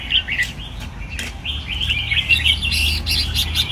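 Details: Red-whiskered bulbul in a cage gives a quick run of chirpy, warbling notes that build into a busier, denser phrase toward the end, with a low droning hum underneath.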